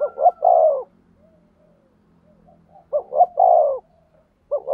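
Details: Spotted dove decoy in a cooing duel to attract wild doves, repeating a three-part phrase of two short notes and a long sliding coo, with faint softer cooing between phrases.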